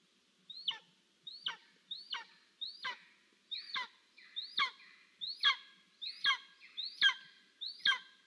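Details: Golden eagle chick at a nest in Estonia, filmed by live nest camera on 10 July 2022, calling for food as its parents bring prey: a steady series of about eleven high, thin, downward-sweeping cries, roughly one every 0.7 seconds, over quiet background.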